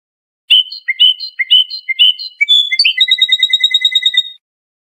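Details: European goldfinch, a trained Iranian Lor-style singer, in a tutoring recording for young songbirds: several warbled two-part phrases followed by a fast, steady series of high tinkling pips, quiet background.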